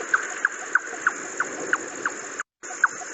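A jungle nightjar gives short, knocking 'chuck' notes, about three a second, in a steady run. A constant high insect-like hiss continues behind.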